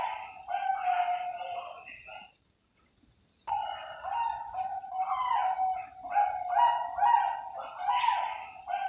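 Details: Zebra dove of the Bangkok strain, a captive-bred songbird from various breeders; bubbly, rolling coos in steady phrases, broken by a short silent gap, then resuming in a busy, overlapping run.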